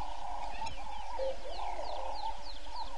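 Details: Yellow-billed hornbill at the Gowrie dam waterhole, Djuma Game Reserve, Sabi Sand Wildtuin, South Africa, at 06:48, captured by a fixed live camera; hoarse mid-pitched clucks over a steady hum, with thin chirps of other birds above.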